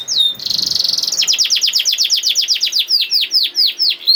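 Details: Canary 'nembak' song intended to rouse silent canaries: a rising whistle, a sustained buzzy roll, then a rapid series of sharp descending notes slowing toward the end.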